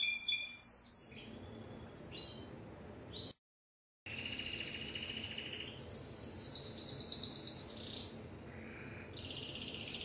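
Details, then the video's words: Timbrado canary song that opens with short high whistled notes, breaks off into a brief silence, then continues with long, intense rolling trills that shift between pitch levels. "تغريد كناري التمبرادو"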